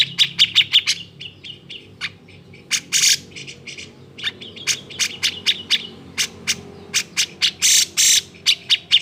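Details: Grey-cheeked bulbul agitated song, played to coax silent birds into singing: quick clusters of crisp chirps and trills alternating with loud harsh rasping bursts, irregular in rhythm throughout.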